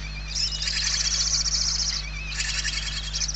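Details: Starving barn owl chicks inside a Spanish nest, 28 November 2023, begging: two drawn-out rasping hisses, the first about one and a half seconds, the second starting after a short pause, over a steady low hum.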